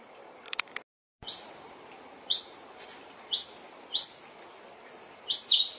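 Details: New Holland honeyeater calls near a resting mother Western Grey kangaroo and her joey: single sharp, high, downslurred chips spaced about one second apart after a brief click.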